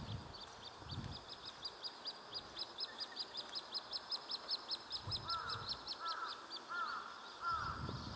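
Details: Little grebe family, two parents and three chicks of very different sizes, on a pond near a mountain trailhead, chicks competing for food from parents: a fast series of thin, high peeps, lower doubled notes near the end, soft low thumps behind.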